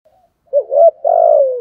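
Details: Spotted dove giving a single 'thúc'/'gù' style phrase: faint soft lead-in, then a wavering low coo and a long, even, gently falling coo.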